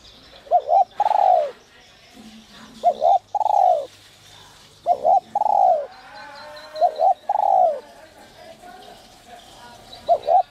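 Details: Spotted dove singing the 'giọng còi' whistle voice, used to excite decoy doves: about five phrases. Each is a quick doubled hoot and then a longer arched coo, repeated every two to three seconds against a quiet hum.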